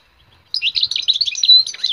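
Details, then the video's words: Singing wild European goldfinch, for listening and stimulating birds: after half a second of quiet, a rapid, high, twittering stream of bright chirps and a short pure whistle, continuing without pause. "حسون خلوى للتسميع والتحفيز والمتعة أسمع كيف غنائة صوت رهيب من حلاوتة"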